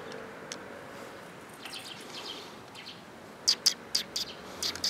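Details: Sparrows coming to be fed on 4 December 2021, heard on the way out: after a quiet stretch, a quick cluster of sharp, high chirps bursts out near the end over faint background hiss.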